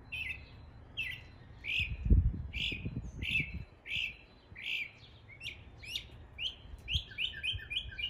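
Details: Northern mockingbird imitating East Tennessee birds, giving rhythmic, downward-sliding chirps roughly twice a second, later speeding into doubled notes; a brief low thudding noise sounds early on.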